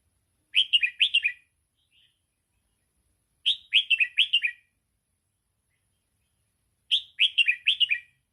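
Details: Red-whiskered bulbul, 'sai ble' song style for schooling young birds: the same lively phrase of rising-then-falling chirps is repeated three times, about every three and a half seconds, with clean silence between.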